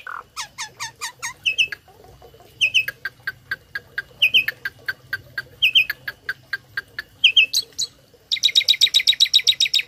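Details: Tame starling singing its learned medley as a tutor for other birds: quick series of sharp repeated chips, short double whistles recurring every second or so, then a fast, even buzzy trill at the end.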